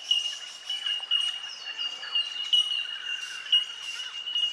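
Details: Chorus of bellbirds (bell miners) at Benarkin, SE Queensland, giving bright bell-like tinks that ring out repeatedly at a constant high pitch, several birds overlapping into a steady shimmering tone, with faint twittering behind.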